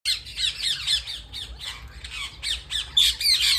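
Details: Parrots at home, many harsh squawks in quick succession, about four a second, bright and grating with slurred rising and falling notes, overlapping callers, loudest burst near the end.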